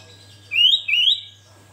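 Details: Sooty-headed bulbul (kutilang) singing vigorously in gacor style: two bright, rising whistled phrases in quick succession, each slurring upward and lasting about a third of a second, over a quiet background with a faint steady hum.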